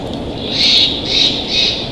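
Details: Bald eagle pair at their nest in Big Bear Valley, November afternoon: three high, thin squealing notes, each under half a second, over steady low wind noise.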